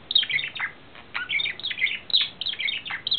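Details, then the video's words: Lovestruck male budgerigar, April 2009: rapid chattering song of downslurred chirps, gritty buzzes and sharp ticks running almost without break. "Wellensittich-Männchen Timmy verliebt"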